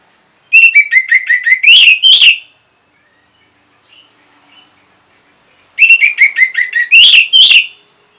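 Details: Orange-headed thrush, linked to a lure-sound response: two rapid phrases of clipped high chirps, each ending in a couple of louder rasping notes, separated by several seconds of near silence.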